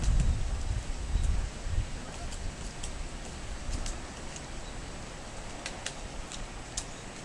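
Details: A female Owston's White-backed Woodpecker in Amami Ōshima forest repeatedly taps a dead branch searching for small insects inside: sharp, dry knocks at an uneven pace, roughly one per second, over low wind rumble.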